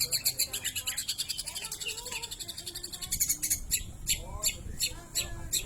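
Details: Long-tailed shrike performing lovebird mimicry, opening with a fast run of rapid, evenly spaced high chirps, then slower, harsher notes spaced about half a second apart, over faint low background noise.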